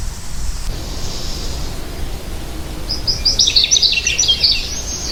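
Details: American goldfinch song: a short burst of bright, high twittering chatter with rapid jumbled notes in the second half, after a few seconds of quiet outdoor background noise.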